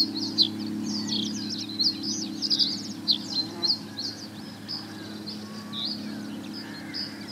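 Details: Male common reed bunting singing on 29 May 2017 at 16:45 in Ochsenmoor near Hüde, by a drainage ditch: short, high, chirpy notes in quick jumbled bursts, with a steady low hum underneath.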